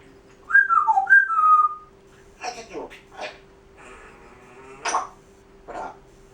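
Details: Pet Grey parrot kept indoors, showing part of its repertoire: a loud descending whistled phrase in the first two seconds, then broken speech-like syllables and clicks, with a steady low hum throughout the room.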